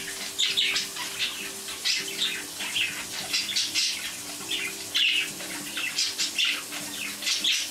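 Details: Pet budgerigars growing loud while water runs from a tap: dense, overlapping chattering chirps and warbles, several per second, over continuous running-water hiss, with faint wing flutters.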